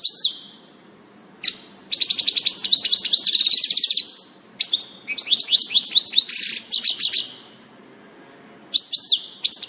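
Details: Goldfinch in song, 16 June 2018, giving long bursts of very rapid tinkling notes and buzzy trills, separated by short silences, ending with sharp sliding calls.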